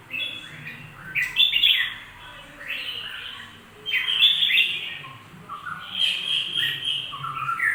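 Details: Singing bulbul delivering repeated warbled, whistled phrases of about a second each with short gaps, some notes sliding steeply downward, against a faint low hum.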